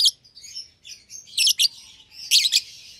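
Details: A pair of young caged lovebirds, red-eyed albino and euwing green opaline, make shrill chirps and thin squeaky twitters, the loudest notes coming in clustered pairs.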